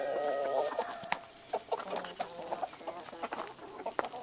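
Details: Roosters mating with a gray hen on a northern California ranch; a long, nasal drawn-out cackle opens, followed by scattered short clucks and soft clicks spaced irregularly.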